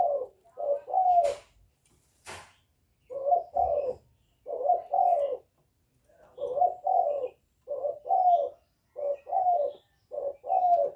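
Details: Young spotted dove giving calling coos mixed with bowing coos, meant to provoke wild doves: low, hollow two-part coos repeated in bursts with short pauses, plus a couple of sharp clicks early on.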